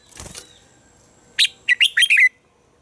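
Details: Morning song of a captive red-whiskered bulbul for training other bulbuls: a soft rustle like wing flutter, then a quick string of five bright, warbled notes.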